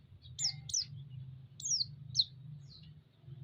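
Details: A white-eye's chirps played to excite other white-eyes: a pair of high falling notes, then a longer slurred chirp and a short sharp one, over a low hum.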